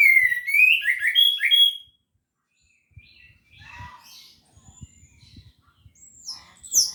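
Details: Orange-headed thrush in gacor teler song, used as a lure for hesitant birds: one fast phrase of rising whistles, then quieter scattered chirps and soft knocking, ending in a high burst.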